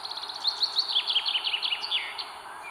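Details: Northern goshawk chicks begging as their mother feeds them at a nest in northern Estonia, 21 May 2022, on a live nest camera: a quick run of high, thin, squealing chirps, each slightly falling, about five per second over steady hiss.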